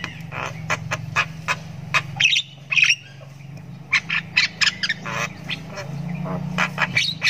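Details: Young Javan myna, a 'ngriwik' chick still learning its sounds, gives rapid harsh rasps and clicking bursts in uneven clusters over a steady low droning hum.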